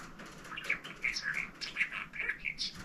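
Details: A pet budgerigar chatters in a fast run of high, scratchy chirps and warbled notes, several each second, with faint room noise behind. The bird is talking a lot, heard from a room downstairs.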